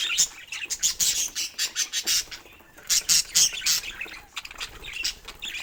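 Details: Pet budgerigar chattering busily, with rapid, scratchy, high squawks and chirps in quick bursts and a brief lull in the middle.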